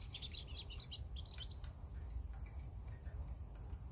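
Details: European robin delivers a dense, rapid run of high twittering and warbled notes at the start, then falls quiet apart from one thin downslurred whistle, against a low rumbling background.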